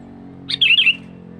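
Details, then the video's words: Sooty-headed bulbul call, used as a lure for wild birds: one short bright whistled phrase of three quick slurred notes, rising then dipping, over a faint low hum. "SUARA Panggilan kutilang Gacor"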